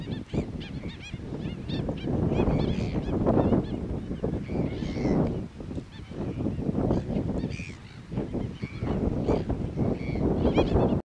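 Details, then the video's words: Flock of black-billed gulls in New Zealand taking off and landing. The birds give loud, rapid, overlapping squawking calls throughout, with strong low wind or movement noise underneath. "Black billed gull taking off and landing"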